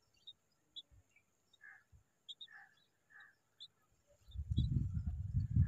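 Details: A bulbul sitting together with her chicks: short, scattered chirps and soft liquid notes at varied pitches over about four seconds, then a loud low rumbling noise in the final second and a half.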